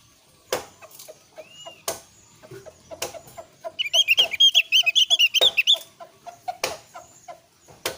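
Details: Lure song of an oriental white-eye, or opior, used to get other Javan white-eyes to reply. Scattered knocks and soft clicks lead to a quick, busy burst of high chirping notes lasting about two seconds. More knocking follows.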